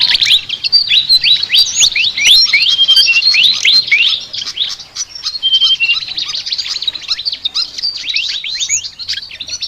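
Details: A flycatcher's rapid chattering song, packed with thin, high twittering notes and short flicked chirps that run almost without a break.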